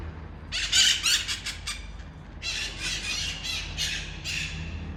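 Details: Red-masked parakeets that land outside a balcony in Ecuador, giving two bursts of shrill, harsh screeching squawks in rapid series, described as super noisy.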